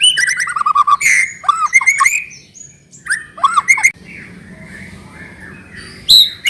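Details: White-rumped shama lure for making another bird sing: rich, varied whistles and quick sliding notes in short bursts, separated by quieter gaps with faint low background noise, a sharp whistle closing.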